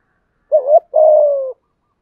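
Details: Spotted dove voice meant to stir other doves into calling: one short cooing note, then a brief gap and a longer, steady, slightly falling coo. Mid-pitched and clean, with no other sounds.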